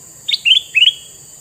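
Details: Red-eyed male sooty-headed bulbul, known locally as kutilang mas and kept to attract wild birds, gives a brief phrase of three bubbly notes, each sliding upward, over a constant high-pitched hum.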